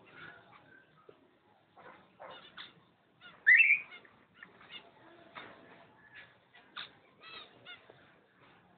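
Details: Pair of cockatiels, 05.06.11: one loud, rising, quavering whistle a few seconds in, surrounded by faint chirps, short twitters and a sharp click at the end.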